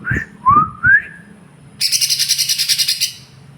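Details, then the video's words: Lesser green leafbird with a few short rising whistled notes, then a rapid, rhythmic harsh buzzy trill lasting over a second. "cucak ijo mini fighter"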